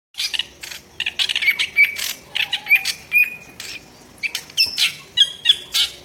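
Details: Drongo in full voice with harsh, coarse notes, used as fill material for training songbirds: rasping broadband bursts mixed with short clear whistles, irregularly spaced over six seconds.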